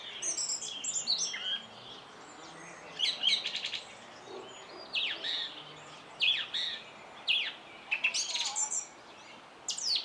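A song thrush sings loud, varied, high phrases about every second, some notes quickly repeated, with brief quiet gaps between.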